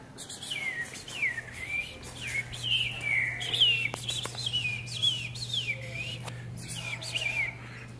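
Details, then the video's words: Green-winged saltator (trinca-ferro), caged and singing as it hops on a perch in a vigor workout for legs, grip, wings and lungs; a run of rich whistled phrases, each rising then sliding down, about two per second, with a low steady hum and a few clicks. "Trinca ferro Vigor no pulador"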